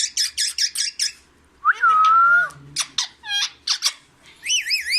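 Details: Green parrot repeating the Urdu words "Mian Mithu" indoors: a rapid run of five squeaky syllables, a long steady whistled tone, then harmonic-rich chattering notes and a wavering warble at the close.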